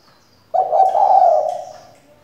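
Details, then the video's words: One drawn-out, mellow coo from a female spotted dove serving as a decoy to make males sing; the note starts sharply, holds steady with a slight tremble and tails off. "Cu gáy mái mồi căng đét thúc bổi mở mỏ ngay!"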